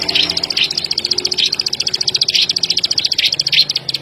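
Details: Plain prinia calling nonstop: a dense run of high, dry clicks, roughly seven per second, punctuated by a few louder rasping buzzes, over a soft low background hum.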